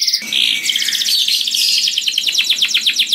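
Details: A canary pours out loud, sweet song for luring other canaries: a brief buzzy trill that breaks into a fast series of sharp repeated chips.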